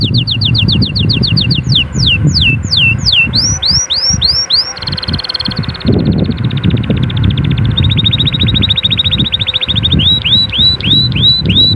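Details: Canary song intended to prompt chicks to sing and prepare females: varied trills, long descending whistles, curling looped notes and a buzzy roll, over steady low background noise.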